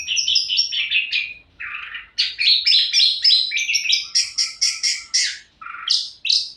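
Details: Orange-headed thrush in vigorous, continuous song: a fast, varied run of high whistled and buzzy phrases, some phrases dropping to a lower note, delivered several per second.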